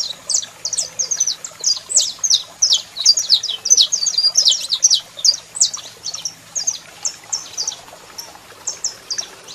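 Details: Singing male saffron finch with a calling female, loud bright chips and short trills delivered in fast succession, about two to three notes per second, fading somewhat toward the end.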